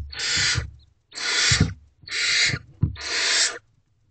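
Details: Nest box of wild barn owls, early morning of 25 April 2023, female arriving with another large rodent for the owlets: four evenly spaced, drawn-out rasping hisses, each about half a second, with faint thuds beneath.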